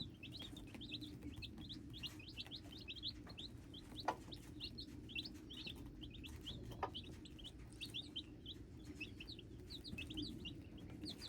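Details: Hybrid chicks peeping nonstop: many short, high, rising chirps crowd over each other for the whole stretch, with a steady low hum underneath and a couple of faint knocks.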